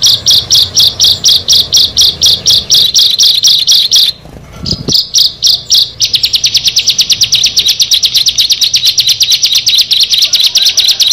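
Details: Bar-winged prinia, one of six birds meeting together: loud high chirps repeated rapidly, a brief thump and pause near four seconds, then a faster, denser run of sharp notes to the end.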